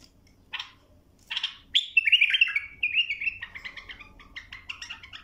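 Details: Bulbul singing a clear tutoring song: two short harsh notes open into a long fluid whistled warble that breaks into quick choppy notes, over a faint steady hum.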